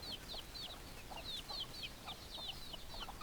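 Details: Chickens in a flock, producing rapid high chirping peeps, roughly four per second and overlapping, with softer lower clucks underneath and a steady background hum.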